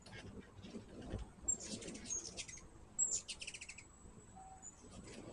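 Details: Two quick bursts of high, scratchy twittering chips from hummingbirds at a feeder, each lasting under a second, separated by quieter low background noise.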